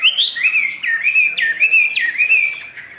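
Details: Caged Chinese hwamei, a bird kept and sold as a songbird, singing clear whistled phrases that swoop down and level off, about three loops repeated roughly every half second, rich and ringing, with no other sounds.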